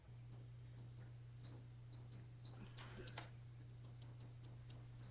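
White-throated Dipper singing a quick string of short, high, sharp notes, several per second, over a steady low hum.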